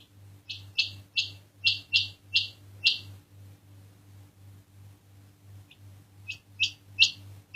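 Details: Quail calling: short, sharp, bright notes repeated roughly three times a second, a pause of about two seconds mid-way, then the series resumes; a steady low electrical hum runs underneath throughout.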